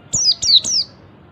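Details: Three quick, bright whistles from an Oriental white-eye in ngalas style, each sliding from very high to lower pitch. The call is meant to draw other white-eyes into calling.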